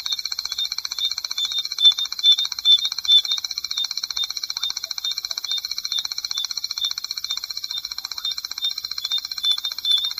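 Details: Continuous long trill of a Striped Crake, dry and high-pitched, made of fast, regular ticks held for ten seconds with a few slightly louder notes mixed in.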